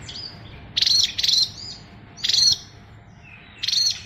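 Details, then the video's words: Oriental magpie-robin singing in a full 'fighter' style packed with varied fill-in phrases; four bright, buzzy high bursts come at uneven gaps of roughly one second, with a low hum underneath. "SRDC Fighter isian luber"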